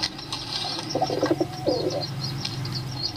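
A pigeon gives a short run of low, throaty cooing notes over a steady mechanical rattle and background hum.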